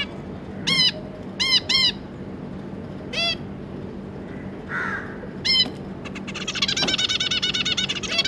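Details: Zebra finch family of two adults and three juveniles, 25 July 2022: loud, nasal, horn-like beeps, single and in pairs, then a dense buzzy chattering song sets in near the end.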